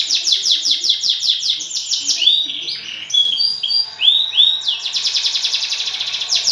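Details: Canary song intended to spur other canaries to sing, with rapid repeated chirps, rounded warbling whistles in the middle and a closing fast buzzy trill.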